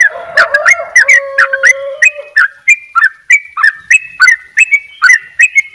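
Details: Yellow-vented bulbul in lively ropel song: a rapid string of sharp, slurred chirps roughly three per second, with steady lower whistles from another bird early on.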